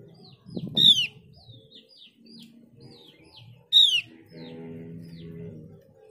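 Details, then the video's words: Mees's white-eye lure recording: two loud falling whistles with light chirps between, over a background of low rumbling and a sustained low droning tone. "Pancingan opior jawa biar gacor dijamin opior jawa bahan dan opior jawa ombyokan pasti nyaut"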